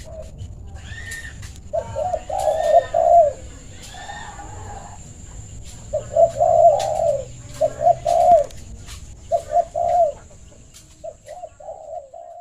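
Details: Bangor, the spotted dove, calling others to play: repeated low, soft coo phrases in clusters, mixed with higher chirping notes early on and sharp clicks. A faint constant high-pitched tone runs throughout.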